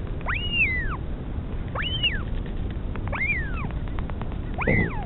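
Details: Northern royal albatross, a mother feeding her chick at the nest in the Pukekura/Taiaroa Head colony near Dunedin, New Zealand; four clear arched calls that rise then fall, about one every second and a half, over steady low wind rumble.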